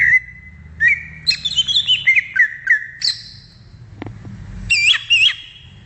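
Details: Greater green leafbird heard in the wild: a held whistle, then a quick sequence of slurred notes, a short pause with a click, and a final pair of looping, warbled whistles.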